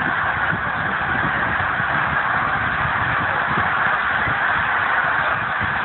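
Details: Geese by the thousand rising at once off a frozen lake, Pemberton, NJ, 19 December 2010, producing a steady, crowded chorus of honks over a rumble of flapping wings.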